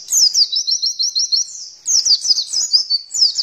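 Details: Oriental white-eye song used as a lure to get birds to open their beaks and sing: a rapid, high, thin twittering of quick rising-falling notes, one long run, a short pause, then another burst.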